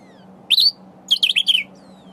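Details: Sombre greenbul calling as it feeds on berries: one high, rising squeaky note followed by a quick, jumbled string of four or five wheezy, warbling notes over a constant low background hum.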